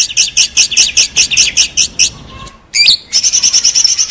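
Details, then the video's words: White-rumped shama training material from a champion bird: a run of rapid, harsh, repeated notes about every fifth of a second, a brief pause, a sharp squeak, then a dense buzzy chatter. "Materi sang juara || Murai batu Istimewa Gacor"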